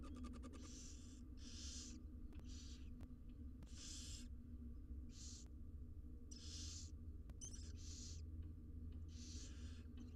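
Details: Begging from six wild barn owl nestlings as they are fed in a camera-monitored nest box: a brisk run of harsh hissing bursts, each under half a second, overlapping in places, over a steady low drone.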